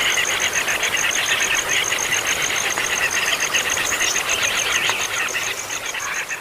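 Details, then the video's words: Chicks begging noisily whether fed or not: a dense, continuous mass of rapid overlapping chirps. A steady, evenly pulsed high tone runs throughout. "ANAK BURUNG PALING HEBOH, MAKAN GAK MAKAN TETAP AJA BIKIN KERIBUTAN!"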